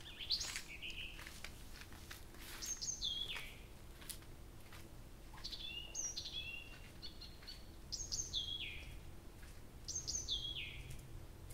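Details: All-night singing of a nightingale at Abramtsevo in early June, recording begun 23:00 on 6 June 2021; repeated phrases of sharp high notes sliding down into whistled slurs, with clicks and brief pauses between bursts.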